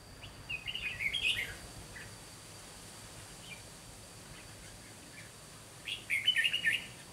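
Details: Red-whiskered bulbul fighting song from a trapping decoy: two short bursts of bright, rapidly warbled notes several seconds apart, with a thin steady whine behind.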